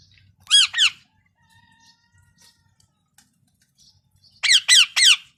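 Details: Parrot giving harsh, rasping squawks: a quick pair near the start, then a long quiet gap with faint background noise, then a fast burst of three loud squawks close together.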